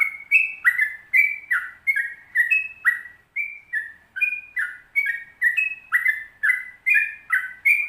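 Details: Yellow-vented bulbul singing the lively long 'ropel panjang' style, a training track: clear, gurgling whistled notes in quick succession, roughly two to three per second, alternating high and low pitches, each note dropping slightly, against silence.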